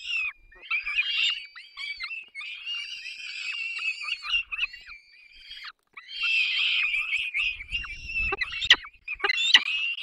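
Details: Nest of peregrine falcons in the Barycz Valley on 3 May 2024, parents feeding the young: loud, drawn-out hoarse screams from the chicks, nearly continuous, broken by a brief silence and a few sharp falling notes.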